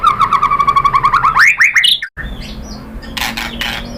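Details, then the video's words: White-rumped shama song used as a lure for other birds: a fast run of repeated whistled notes that climb steeply, a brief gap, then buzzy harsher bursts. "KICAUAN MURAI BATU bikin NYAUT ikut BUNYI GACOR NGEPLONG BONGKAR ISIAN ¦ PANCINGAN MURAI"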